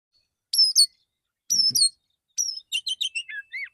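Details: Male white-rumped shama singing in the morning, relaxed song calling other shamas: two short sharp whistled phrases a second apart, then a quick run of varied chips and slurred descending whistles, with a faint low thump in the background.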